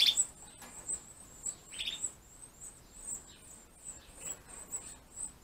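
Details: Captive Gloster canary nestlings being fed by both parents during the 2015 breeding season give rapid, thin, high-pitched begging peeps in a steady stream, with one brief louder chirp near the start and another midway.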